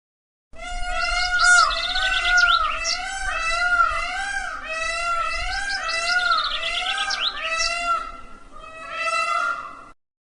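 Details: Peacock, an Indian peafowl, calling in a long, continuous sequence of loud, nasal, wailing notes that waver up and down, with brief higher accents and a short pause near the end.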